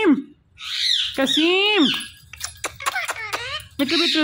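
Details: Talking Indian ringneck parakeet repeating "Mitthu": a raspy burst, then a loud bending harmonic word, a string of brief clicks and small arched notes, and a final nasal syllable.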